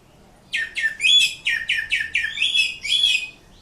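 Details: Greater green leafbird from Indonesia in full song, a run of about nine loud downward-sweeping chirped notes repeated rapidly, some with brief whistled tails.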